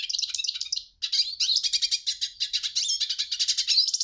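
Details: Hooded siskin pouring out quick, high twittering phrases of rapid chirps and buzzy trills, pausing briefly after the first second before continuing steadily.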